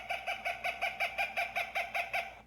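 A Cooper's hawk gives a fast, harsh series of about a dozen nasal 'cak' notes, roughly five each second, steady in pitch and evenly spaced.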